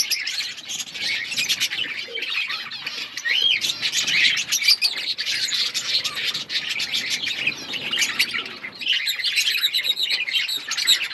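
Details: Outdoor budgerigar colony in full chatter: steady high warbling and chirping from many birds, with a clear rising whistled note standing out among the dense overlapping calls.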